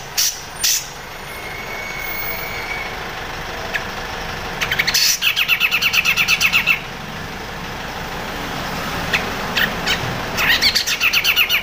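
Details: Crecet chatter of a grey-cheeked bulbul, offered as master song for songbirds like shama, magpie-robin and green leafbird. Isolated harsh notes and a thin steady whistle give way to repeated spells of fast, dry, rattling pulses.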